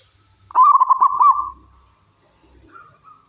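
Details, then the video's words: Local wild zebra dove singing, played to attract and stimulate other zebra doves. A single rapid, bubbling run of cooing pulses with a drawn-out fading end, followed by a faint low rumble and a softer distant call. "Suara Burung Perkutut Lokal Gacor"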